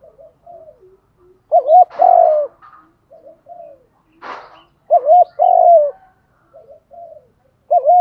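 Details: Spotted doves, male and female, cooing to stimulate other doves to coo and fight. Loud two-part low coos repeat about every three seconds between softer background coos, with brief broadband knocks.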